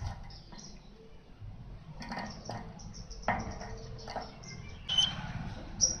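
Asian golden weaver song: a scratchy jumble of short high chirps and wheezy notes in uneven bursts, with a low rumbling background.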